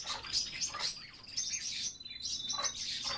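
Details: European bee-eaters give soft, rolling, liquid 'prruip' calls, repeated in quick overlapping bursts as though several birds are calling together.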